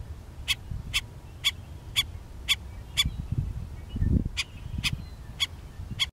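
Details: Black-necked stilt on a Sacramento County rice farm gives sharp, high yipping notes, about two a second in a steady series, vocally defending its territory, its chicks or nest likely nearby, over a low rumble of wind.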